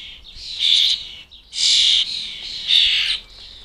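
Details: Young European starlings, just fledged, beg to be fed at a British bird table. Three loud, wheezing, hissy screeches come about a second apart, each lasting roughly half a second, over quieter chatter.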